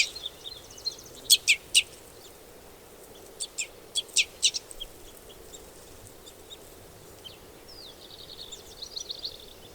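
Red Crossbill giving sharp, high kip notes in quick bursts of two or three, then softer, slurred notes, over a faint steady background hiss.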